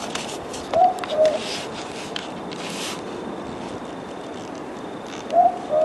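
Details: A Southern boobook (mopoke) in Australia gives its low, soft two-note 'boo-book' hoot twice, about four seconds apart, over a steady background hiss.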